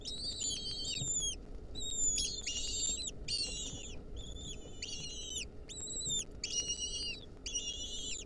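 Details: Wild lesser kestrel nestlings at a nest, filmed in 2023 while a centipede clings onto them, giving high, thin, harmonic whistled calls in short repeated bursts of about half a second, over low background hum.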